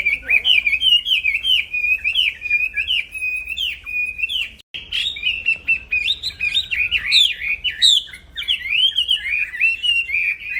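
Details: Song of a caged black-throated laughingthrush meant as a training master for songbirds, a steady stream of wavering mid-pitched whistled phrases with almost no pause, one brief gap near the middle and faint clicks.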